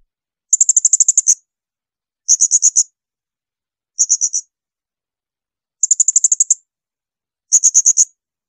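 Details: Blue-crowned hanging parrot (serindit) shrill song for tutoring other songbirds: five very high bursts of rapid ticking notes, about ten per second, each under a second, with clean silences between.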